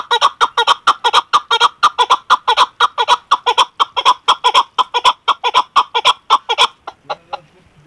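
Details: Female chukar partridge giving a long run of loud, rhythmic chuk-chuk clucks, about two per second, that thin out and stop near the end.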